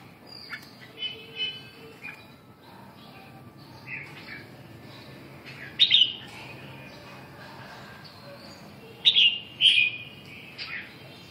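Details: Scattered soft chirps from a red-whiskered bulbul, broken by two loud, sharp, whistled phrases, the second a pair of bursts close together, with quiet background between.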